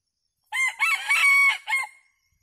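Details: Red junglefowl decoy rooster, of the type locally called kathoey, used to call wild junglefowl in to feed as a flock; one loud harsh crow of about one and a half seconds in four linked harmonic segments, ending in a brief fading tail.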